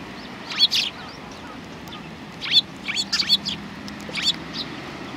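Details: Sparrows greeting visitors at a Tenmangu shrine in January 2019 give a few loose, slightly hoarse chirps in three separate bursts, the middle one a quick run of four or five notes, over low background rumble.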